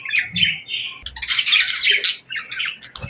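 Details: Young budgerigars kept with lovebirds call at feeding time: harsh, buzzy squawks and quick chirps crowd together from several birds, bursts rising and falling in loudness, with a brief low thump and soft room noise beneath.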